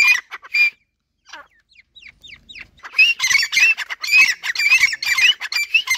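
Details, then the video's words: Captive grey francolins, two males and two females, answering each other on sight. A few ringing notes and soft scratchy sounds lead into a dense, loud chorus of harsh, repeated, up-slurred cries. "Jungle desi teetar awaz | new francolinus voice | gora teetar speaking"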